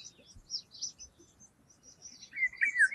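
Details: Eurasian golden oriole: thin, high twittering notes lead into a louder, fluty warbled phrase near the end, with a faint low rumble underneath.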